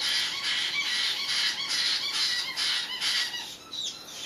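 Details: Baby caiques screaming at night in a brooder, wanting to be fed though old enough not to need night feeding: harsh, raspy screeches repeated rapidly and continuously, several birds overlapping, with a steady high hum throughout.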